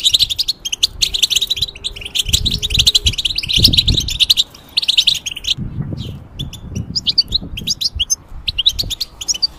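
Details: Caged European goldfinch in molt singing a quick twittering run, then after a pause scattered sharper chips and trills; a faint steady hum and low thumps accompany it.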